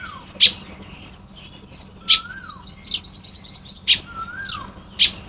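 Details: Baya weavers building nests one morning in Lopburi, Thailand, 1 May 2026: spaced sharp chips with wheezy, rapid chatter between them, while a looping falling whistle repeats twice in the background.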